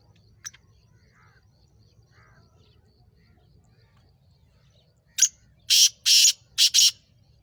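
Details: Black francolin of the Sindhi type calling: after a quiet stretch with faint low hum, a burst of harsh, grating, broadband notes, one short then three longer rasps in quick rhythm.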